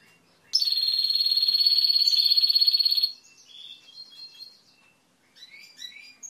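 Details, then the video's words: Timbrado canary producing a sustained, very fast, even trill for about two and a half seconds, followed by quieter scattered chirps and short whistled notes. "تسجيل طائر كناري تمبرادو"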